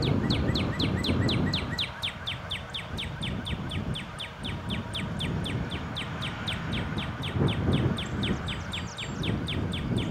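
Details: A shy male northern cardinal that has stayed around a house since winter sings a fast, steady series of clear down-slurred whistles, about four per second, over a low background rumble.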